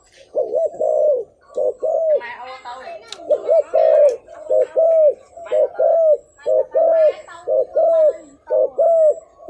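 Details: Spotted dove decoy call meant to draw wild doves in: a steady run of low, rounded coos about once a second, overlaid by busy chattering and higher harmonic sounds in the middle.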